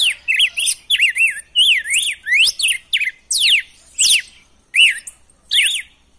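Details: Red-cowled cardinal singing a wild-style song meant to stimulate captive males: ringing whistled phrases, zigzag up-down notes and steep rising sweeps, delivered in separated bursts over six seconds.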